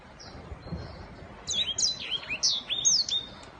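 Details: Black-throated canary singing in the prized 'giọng vip' style: a quiet start, then from mid-clip a string of high, sharp whistled notes sweeping up and down, each burst short and bright, over a low background hiss.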